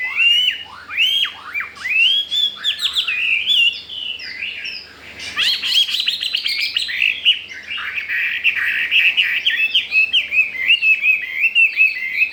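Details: Chinese hwamei, wild-caught, new to its cage and eager to breed, sings a long flowing sequence of rising and falling whistles mixed with rapid chattering and short warbled runs.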